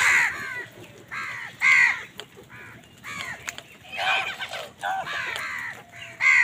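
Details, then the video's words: Many crows squabbling with wild birds over food in the morning: harsh, nasal caws with downward-arching tones overlap one another, some loud and close, others fainter behind, at uneven intervals. "Many Crows crowing sounds and noises in the morning"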